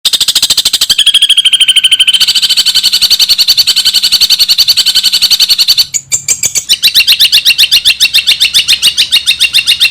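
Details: Long-tailed shrike training song in the kuntilanak and sparrow-mimic style with full ngekek bursts, meant to get other shrikes singing: rapid high chattering notes, a sustained buzzy band, then a brief pause and a fresh burst of fast rattling phrases.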